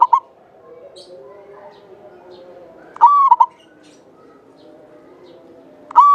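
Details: A local Java zebra dove in full song, long-voiced and clear, kept as a lure for other birds. A complete cooing phrase mid-recording: a bright sustained note and two brief clipped notes. Partial phrases at both ends, a quiet low hum between.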